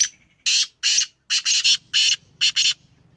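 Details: Captive Black francolin of the Sheedi strain, Sindhi Gangas line, home-bred and kept for sale: a rapid series of seven harsh, grating bursts, some paired, delivered over about three seconds with short gaps.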